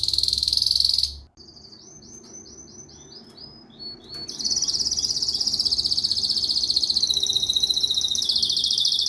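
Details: Singing canary with a dense high buzzy trill, a sudden pause, a chain of quick descending whistled notes, then a long loud rapid rattle that holds to the end.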